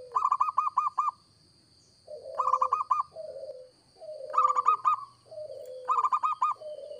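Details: Local zebra dove in sustained active song for bird trapping: repeated quick rattling coo phrases trading with deeper, longer sliding coos from a second dove, over low background rumble and a constant electronic whine.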